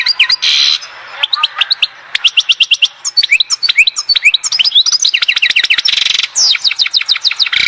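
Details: Goldfinch from the Oued Zhour area of Skikda singing an almost unbroken stream of rapid, bright twittering notes. Ticking trills and buzzy rasping bursts are woven through the song.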